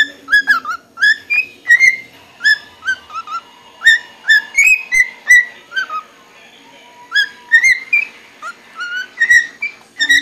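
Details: Pet cockatiel inside a liquor cabinet, giving a steady run of short, bright chirps and whistled notes, some rising and some falling, repeated several times a second in bursts with brief pauses, in a quiet indoor room.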